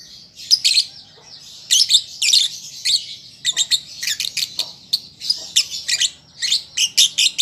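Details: A learning young lovebird giving high, harsh chirps that quicken into rapid squeaky chatter toward the end, over a continuous faint high twittering.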